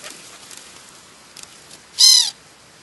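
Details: Black-headed gulls in the New Forest, Hampshire, England, in July 2009: after a near-silent stretch with faint ticks, a single loud, harsh, harmonic-rich call sounds briefly near the end.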